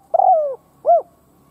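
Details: Decoy spotted dove cooing to provoke other doves into calling: two soft, mellow coos, the first longer and sliding downward, the second short and rounded, on a quiet background.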